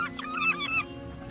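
A gull gives a quick run of harsh, slightly nasal calls in under a second, then stops. A steady low hum sits underneath.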